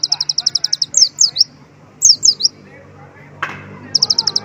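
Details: Sunbird whose song is filled with white-eye phrases opens with a rapid, even trill of high ticking notes. Clusters of steep, downward-slurred whistles follow, then a sharp click, then another quick high trill.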